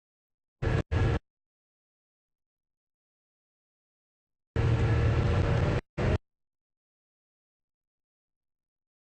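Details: Short bursts of low vehicle engine noise are separated by long silent gaps, with no animal sounds.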